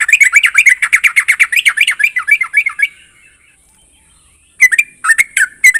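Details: Trucuk (Yellow-vented Bulbul) song, said to make other trucuk birds answer: a loud rapid chatter of bubbly notes for about three seconds, a silent pause, then a few more sharp bubbly notes.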